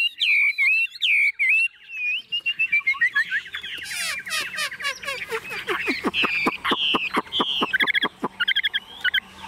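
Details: Chinese hwamei, tame and caged, carried by hand with the cage shaken, singing fearlessly: rich looping whistles, then fast sharp staccato notes speeding into a stuttering series, ending in bright repeated whistled phrases.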